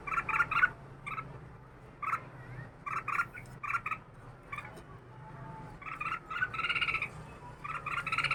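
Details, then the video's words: Red-whiskered bulbul, a caged bird of two years, delivering short rich chirping phrases of two to four notes, repeated with brief gaps and a faint low hum underneath. "chào mào 2 năm lồng đá tay"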